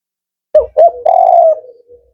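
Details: Male spotted dove singing a 'Kuk 4' phrase: two quick hollow notes followed by a long steady coo that fades into a soft trailing tail.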